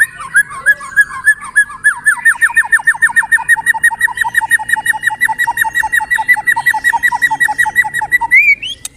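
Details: White-rumped shama, singing vigorously: a long run of quick whistled notes, about four a second, steady in pitch with a lower echoing note under each, ending in a rising upslur, with faint high ticking behind.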